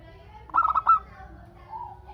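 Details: A single loud phrase from a lively local zebra dove, sung to draw answers from other doves: a rapid stutter of clipped coo notes, then a faint, longer, mellow coo afterwards.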